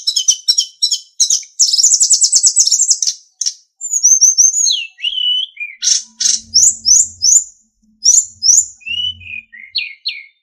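Sunda bush warbler song: rapid high chips and a buzzy trill, then clear whistled notes sliding down, with a faint low hum partway through.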